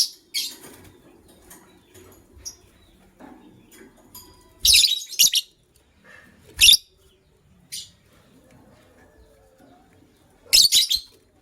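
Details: White lovebirds, a matched pair, chirp in the morning. Scattered shrill, rasping chirps come in short clusters separated by pauses, with a few faint softer notes between them.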